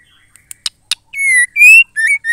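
A female white-rumped shama gives four sharp clicks, then loud, clear whistled notes around two seconds long, some rising and some falling, each ending abruptly.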